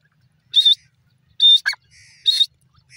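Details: Grey francolin (dasi teetar) giving loud, grating high notes spaced under a second apart, with a brief lower, falling chirp and a faint thin whistle from another bird between them.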